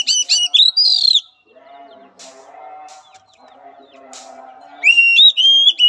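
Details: Oriental magpie-robin song used as training therapy for a weak-spirited bird: loud bursts of sharp, whistled and chattering phrases at the start and again near the end, separated by a quiet stretch of low murmuring background.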